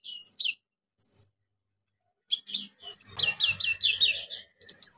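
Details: Orange-headed thrush song used to prompt silent birds into singing: short, high, sharp whistled notes separated by silences, then a quick run of chattering, varied phrases.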